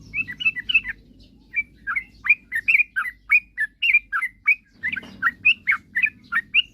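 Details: Yellow-vented bulbul in full, lively song, played to draw rival birds into answering: a long, steady string of bright, slurred chirps roughly every third of a second, broken by one short pause.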